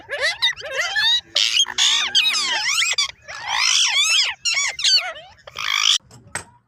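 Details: A parrot giving loud, rapid strings of squeaky whistles and chattering notes, sliding up and down in pitch, in dense bursts separated by short pauses.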